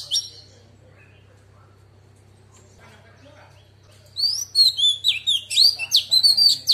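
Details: Singing female Oriental magpie-robin in forest-voice style, used to provoke male birds: after a near-silent stretch with a low hum, a lively sequence of quick, high, sliding whistles and chirps repeated several times a second.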